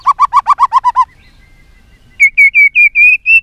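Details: White-rumped shama fighting song from a caged Vietnamese bird: eight rapid mellow repeated notes, a thin held whistle, then six loud clear whistled notes at a steady pace.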